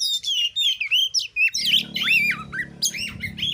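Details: Kacer (oriental magpie-robin) singing nembak material to bait rivals into replying: looping slurred whistles, rising and falling, in quick phrases, with a low electrical hum appearing midway.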